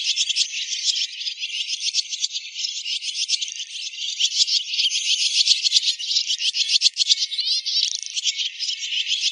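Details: Swiftlet calls heard as the birds settle to roost, a recording used to lure them: high, thin twittering packed into a constant rattling chorus with quick chirps overlapping.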